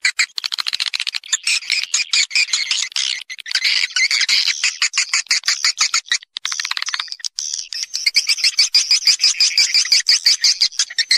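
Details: Swiftlets calling in a natural roosting lure recording (suara inap) used to attract the birds to roost: rapid, sharp chattering chirps, about three per second, in dense runs with a brief lull midway.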